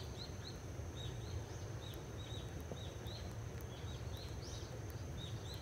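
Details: Six barn swallow nestlings, six days after hatching, in a nest at a countryside house entrance: thin, high, downslurred begging chirps in quick overlapping bursts, nearly buried under a constant low rumble.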